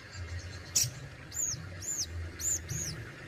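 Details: Caged sogon (Crested Jay) delivering besetan and tembakan song: one sharp high snap, then four clear arched whistles, each rising and falling, spaced about half a second apart, with a low steady hum beneath.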